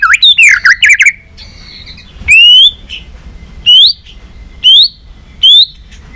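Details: White-rumped shama in competitive song while flicking its tail, delivering many varied phrases: a rapid warbled burst, then loud upswept whistles with sharp overtones repeated about every second and a half, separated by faint thin notes.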